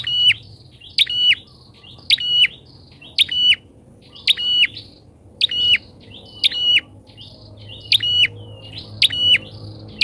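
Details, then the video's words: Repeated harsh, high chip-and-buzz notes from a bar-winged prinia used as a trapping lure, spaced about a second apart for ten seconds, each with a faint softer note following, background otherwise quiet. "PIKAT PRENJAK!!..PRENJAK LIAR KALAH PAMOR DGN PIKATANYA...GACOR"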